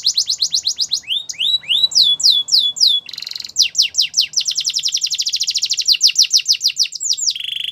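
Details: Canary song for training canaries: rapid series of high, bright phrases, fast rising-and-falling trills then falling slurred notes, a buzzy rattle and another quick trill, repeated without pause.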